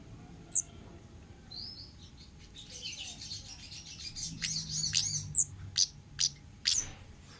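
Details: Singing orange-headed thrush from the wild: a soft warbled passage of buzzy repeated notes builds up, followed by several loud sharp high whistles spaced about half a second apart.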